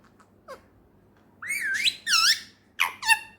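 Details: Talking male ringneck parakeet indoors: a soft early note, then long drawn, wavering squawky syllables rising and dipping in pitch, ending with two clipped harsh notes.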